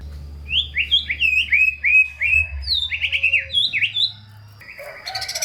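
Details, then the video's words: White-rumped shama song used as a lure for shamas that sing little: a quick series of repeated slurred, wavering whistles, then a few higher notes, ending in a burst of harsh chatter, over a low hum. "Murai Batu GACOR Full ISIAN‼️ COCOK untuk Pancingan Murai Malas Bunyi dan Kurang Emosi"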